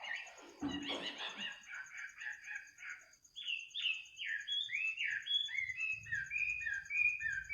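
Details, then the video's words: Night-singing bird at midnight: rough chattering notes open, then a fast series of looping whistled phrases repeated several times a second, over a steady high insect trill and faint low rumble. "kicau burung di tengah malam"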